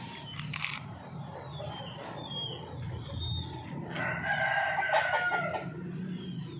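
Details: Chicken calls with a long, harsh, drawn-out crow in the second half, rising and then fading. Short clucks and thin high bird whistles sound in the background.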